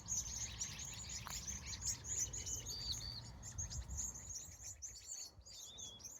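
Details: Many birds chirping at sunset in California, a dense run of high, thin tweets with a few longer whistled notes near the end, over a steady low rumble.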